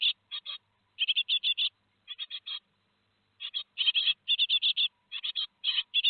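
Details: Great tit nestlings two days before fledging, Théding, 15 July 2020, followed on a nest webcam: bursts of harsh, buzzy chirps in quick groups of three to six, separated by short silent gaps.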